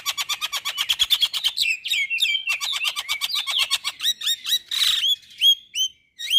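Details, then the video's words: A male white-eyed Javan myna sings a fast, varied run of chattering notes, then clear upslurred whistles broken by one harsh, scratchy burst. "Jalak Apapun Seketika Ikut Bunyi Dengar Suara Jalak kebo Jantan Mata Putih Ini"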